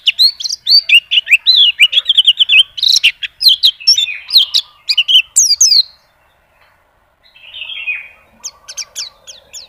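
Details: White-eye in full continuous song, displaying its repertoire: fast chattering run of high sweeping whistles and chirps for six seconds, a short silence, then a softer, rising trill and scattered chirps.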